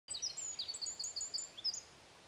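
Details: Eurasian wren singing in Berezinsky Biosphere Reserve, Belarus: a rapid, high-pitched string of sharp trills and tinkling notes lasting about two seconds, loud over quiet background.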